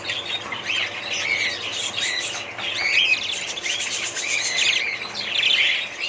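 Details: Budgies keep up a warbling chatter of high trilled phrases and short chirps, bursts swelling and fading roughly every couple of seconds.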